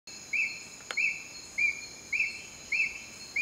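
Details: Juvenile Ornate Hawk-Eagle at Heliconias, Upala, Costa Rica, giving short arched whistled notes that rise and fall, six in just over three seconds at a fairly steady pace, over a constant high insect whine.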